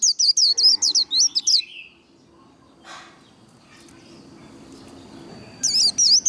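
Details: White-eye singing its 'líu' competition song to train other birds: a burst of high, jerky, up-and-down whistles, a lower trailing note, a quiet stretch with a soft knock and background murmur, then the rapid whistles return.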